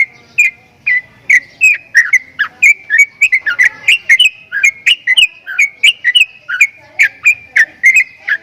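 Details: Javan myna giving strange sounds, a fast run of short whistled notes with clicky edges, repeated about twice a second, the pitch wavering slightly up and down from note to note in a steady chattering series.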